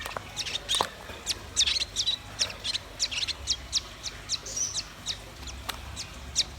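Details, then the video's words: Red-billed nuthatch and white-rumped shama in energetic song. A steady stream of sharp, high chip notes, roughly three per second, with occasional brief whistles mixed in. "Suara kicau burung rambatan paruh merah dan murai batu gacor"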